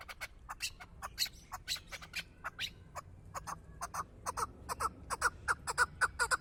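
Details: Chukar partridge, called a hunting partridge, giving irregular clucks and scratchy notes that build into a quicker, more even run of short chuck calls toward the end; faint background hiss.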